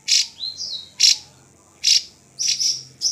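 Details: Drongo singing: harsh, noisy high bursts repeated roughly once a second, with a short clear whistle sliding down between the first bursts.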